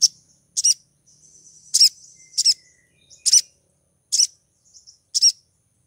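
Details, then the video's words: ['A female crimson sunbird in breeding condition gives high, sharp chip notes about every three quarters of a second to attract a male, with a faint thin twitter running between the calls.'] "PANGGILAN SOGON BETINA BIRAHI MEMIKAT SOGON JANTAN"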